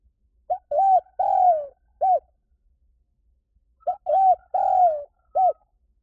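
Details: Spotted dove lure call repeated twice: each phrase opens with a tiny note and a curved coo, stretches into a long falling coo, and ends with a short rounded note. Quiet in between.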